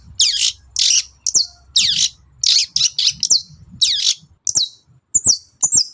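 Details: Long-tailed shrike singing in the morning, meant to provoke other birds into answering: loud, high, harsh scratchy phrases about twice a second, then sharper thin whistled notes with downward slurs near the end.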